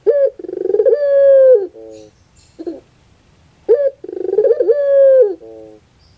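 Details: Two pelung-style phrases of a Barbary dove, used to stir a reluctant bird to sing: each starts with quick stuttering pulses, swells into a long sustained coo dropping at the end, then trails off in short lower notes.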